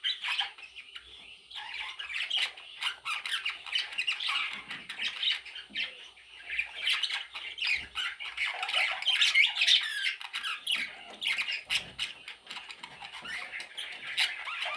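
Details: Parrot chicks giving a long run of harsh, scratchy squawks, several birds overlapping in rapid irregular bursts, about three calls a second, indoors.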